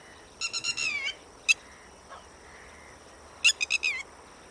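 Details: Shrill, rapid calls of a Red-wattled lapwing: a fast run of sharp notes, a lone clipped note, then another hurried burst of ringing notes.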